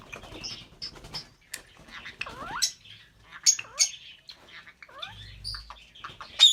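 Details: Albino red-eyed lovebird pair chirping, with thin high chips and clusters of curved falling whistles, separated by short quiet gaps and ending in a sharp loud squeak.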